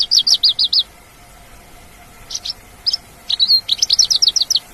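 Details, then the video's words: Australasian bush lark singing in the wild, opening with a quick run of high clipped notes, then scattered chirps, a short whistle, and another fast rattling series of sharp notes over a gentle hum. "kicau branjangan dialam"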